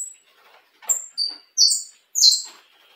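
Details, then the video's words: Saffron finch, a color mutation kept as a cage bird, singing: a few bright, high chirped notes with sliding tails, spaced about every half second, with faint scratchy background noise. "Canário da terra mutação diferenciado bom de canto!"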